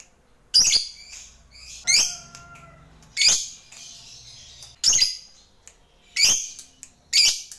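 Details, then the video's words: Fighter lovebird calling a rival: harsh, high, screechy chirps in short bursts roughly every 1.3 seconds, with a faint whistle and low rumble in the gaps. "Lovebird GACOR MEMANGGIL LAWAN"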